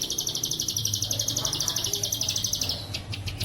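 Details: Plain prinia used as a master recording for tutoring caged birds, Cililin style: a steady, rapid, high buzzy trill of pulsed notes lasting about three seconds, then a few scattered clicks, over a low background hum.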